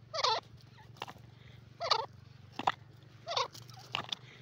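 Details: Teetar, the grey francolin, uttering coarse, strident notes about one and a half seconds apart, with rough noisy bursts and clicks between them over a low droning hum.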